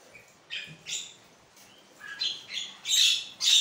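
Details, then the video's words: Javan myna calling in the morning, played to provoke caged mynas; a series of short scratchy squawks, growing louder and harsher toward the end. "pancingan burung jalak kebo 100% nyaut"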